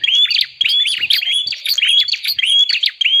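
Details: Bar-winged prinia call used to lure wild birds: fast harsh chirps, each phrase a short sweeping whistle plus clicks, repeated roughly every half second.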